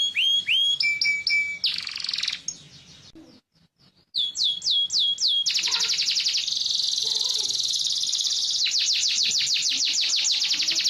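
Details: Yellow canary in full song: high downslurred whistles, a steady whistled note, fast rattling trills and a brief pause before more descending whistles and long rapid trills.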